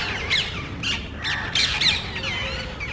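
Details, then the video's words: Parrots visiting a residential neighborhood in search of a nest, loudly calling among themselves; a quick run of harsh, bending screeches, several in close succession. "Parrots Making Loud Noise.तोता वार्ता"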